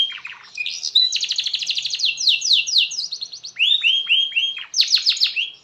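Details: Canary in extended 'gacor' song, played so other canaries join in. A low rattle leads to bright buzzy trills and swooping slurs, then a series of clear falling whistles and a final burst of trilling.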